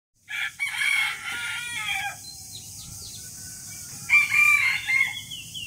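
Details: Rooster crowing in the morning: a harsh, harmonic-rich crow lasting about a second and a half, then a pause before a second, shorter, broken crow near the end; faint chirps of small birds in between.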